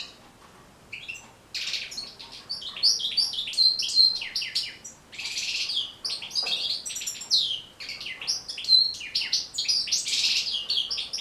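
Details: Goldfinch singing for tutoring captive birds, a dense run of liquid twitters, short buzzes and sharp metallic notes, rising and falling rapidly after a quiet first second.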